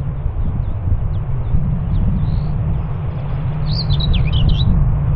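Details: Common whitethroat at Morte Hoe, Devon, UK, giving one brief scratchy warbled phrase near the end after a few faint thin notes, largely masked by strong buffeting wind.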